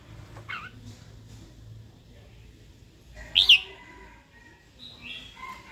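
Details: Hen red-whiskered bulbul calling to goad a wild-caught cock into song and combat; scattered high notes with one strong, abrupt double chirp in the middle and a softer slurred note near the end.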